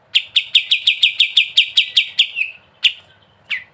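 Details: Fast rattling ngebren trill from a sooty-headed bulbul, about a dozen sharp buzzy notes that slow and fade, followed by two separate chips.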